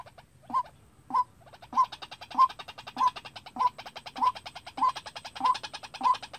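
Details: Captive white-breasted waterhen trained as a trapping lure: ten evenly spaced, emphatic mid-pitched notes, each about two-thirds of a second apart, accompanied by a continuous fast pulsing rattle.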